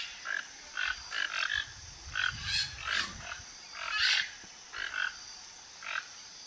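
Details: Toco toucans, the largest toucan in Brazil, foraging in a flock near a backyard: irregular rough croaking calls, some in quick pairs, one louder burst near the middle, with faint low rumbling and constant hiss.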